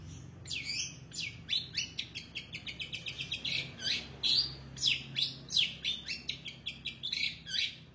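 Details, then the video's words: Long-tailed shrike in full, showy song: strings of sharp, high downslurred chirps, a quick even run of clipped notes, then loud ringing whistles, delivered almost without pause. "cendet gacor isiannya mewah banget"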